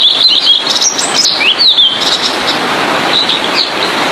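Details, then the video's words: Song of a blue-and-white flycatcher (tledekan biru) used as tutor material for songbirds: bright high whistles that swoop up and down in a quick phrase, fading into faint notes, with heavy background hiss throughout. "Burung Sikatan Biru-Putih||TLEDEKAN Biru Gacor|cocok buat masteran"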